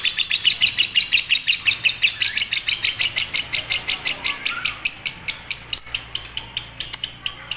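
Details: Lovebird, fighter or konslet style, offered as a master song for lazy birds: shrill, clipped chirps in a quick run that slows and spaces out toward the end.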